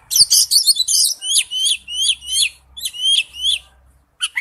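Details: Oriental magpie-robin delivering wild-type forest-voice song: a scratchy, jumbled opening, then a run of about ten clear, sharply down-slurred whistles repeated roughly three per second, ending with a brief short note.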